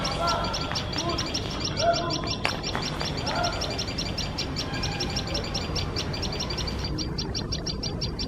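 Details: A tailorbird pair guarding their nest raise shrill, sharp alarm notes as a male cat sits very close, repeated rapidly several times a second, over a steady low rumble and some fainter lower sounds.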